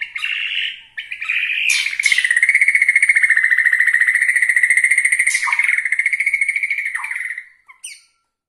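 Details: White-rumped shama of the Borneo type, singing to rile rival shamas: a brief whistled opening, then a long, even, rapid rattling trill held at one steady pitch for about six seconds before it stops abruptly.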